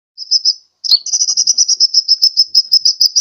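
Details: Sunbird lure call for attracting birds, from Sukabumi, Pajampangan: a short pair of high thin notes, a brief pause, then a rapid, even series of sharp high chips repeated about six times a second.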